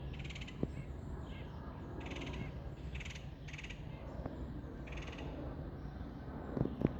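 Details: Red-headed woodpecker in Algonkian Regional Park, Virginia, on 11/25, giving sounds typical of the colder months: short raspy, buzzy churring bursts repeated irregularly, over a steady low rumble with a few sharp clicks.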